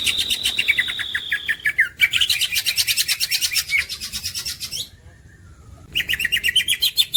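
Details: Green leafbird, a champion songbird, delivering a long thin whistle, then a dense chattering trill of fast repeated notes, a short pause, and another rapid burst of chirps.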